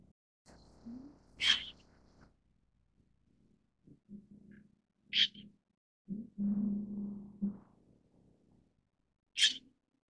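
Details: White-cheeked starling (Sturnus cineraceus) giving three short, sharp, harsh notes about four seconds apart, with low rumbling and muffled background noise between them.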